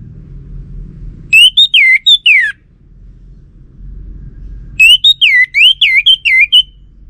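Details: Orange-headed thrush singing as a lure for males: two loud phrases of clear, looping whistles that rise and fall, the second longer, with a low hum between them.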